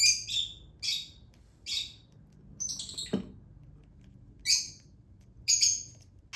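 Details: Hand-fed lutino Fischer's lovebird chick begging with harsh high squeaky bursts, irregularly spaced, plus one lower sliding sound midway, with a steady low hum indoors.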